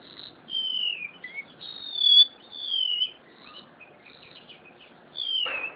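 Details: Caged crested honeyeater, a bird of Java, in full song: pure high whistles that glide slightly down, a few short slurred notes between them, ending with one louder falling whistle.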